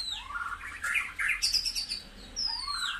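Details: White-rumped shama song for stimulating caged birds: dense, overlapping whistled and buzzy phrases sweeping up and down, ending in a high falling note, over background hiss.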